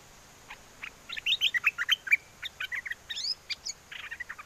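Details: Wild-forest-style song of a caged bulbul at Chana, Songkhla, southern Thailand, calling for a mate in strong wind: a lively, continuous string of rich warbled and whistled notes, rising slurs and bubbly chirps over a steady hiss.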